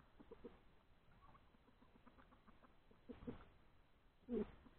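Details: Hen laying an egg outdoors in the open, giving soft low clucks through the first seconds, then a louder harmonic squawk near the end, with quiet background noise.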